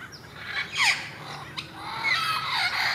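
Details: Wild parrots in Irvine, California, on November 1, possibly a mating pair, giving harsh squawks and sweeping, bent calls with loud bursts near the start and a steady run of screeches toward the end.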